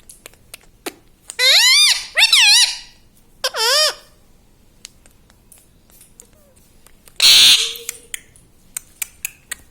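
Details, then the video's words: Household parrot imitating "mummy papa": two swooping harmonic syllables back to back, a third shorter one a second later, then a long quiet stretch broken by a single harsh, noisy burst and scattered clicks. "Parrot talking mummy papa"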